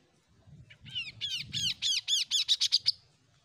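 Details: Untrained Oriental magpie-robin starting to find its voice: a run of about ten arched, down-slurred notes that grow louder, quicken and climb higher in pitch, ending in short sharp notes over a low background rumble.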